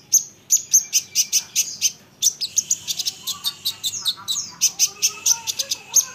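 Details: Olive-backed sunbird delivering rapid, evenly spaced high chips, about four per second, broken by one brief pause; the song is meant to provoke other sunbirds to answer.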